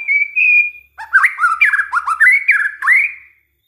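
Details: White-rumped shama lure song meant to set other shamas singing: a pure sustained whistle, then a lively sequence of rich, looping slurred phrases, each swooping up and down in quick succession.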